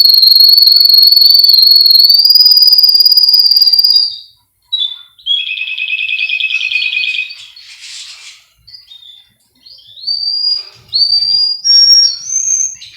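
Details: Male Russian canary from a breeder in Miami, Florida, recorded as a training song: a long loud rolling tone, a pause, a buzzy rattling trill, then rising whistled phrases.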